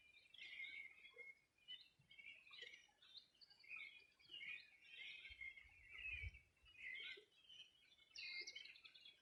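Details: Many birds on a 2020 summer morning at the Bueno River, Los Ríos Region, Chile: steady high twittering chorus with bright whistled notes and trills, and a short low rumble midway.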